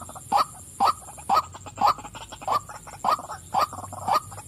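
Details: Female white-breasted waterhen giving a steady series of loud, husky croaks, about two each second, over a quiet humming background.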